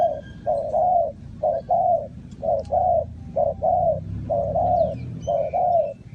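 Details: Decoy spotted dove calling to attract wild doves to a trap. Clear, mellow paired coos, a clipped note then a longer rounded one, repeat roughly every second against quiet surroundings.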